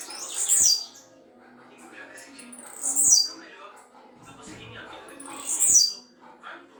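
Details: Blue-black grassquit singing in the campainha style: three brief, high-pitched buzzy strokes roughly two and a half seconds apart, with faint murmuring voices and soft music behind.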